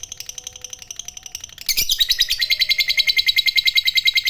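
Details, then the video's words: Lovebird of the fighter type, giving a long ngekek trill used to provoke other lovebirds: a softer rapid chatter, then a sudden loud, harsh, fast-pulsed trill of about seven notes per second that runs on steadily. "Pancingan Lovebird fighter Ngekek Panjang,Suara Burung Lovebird Gacor Ngekek Panjang"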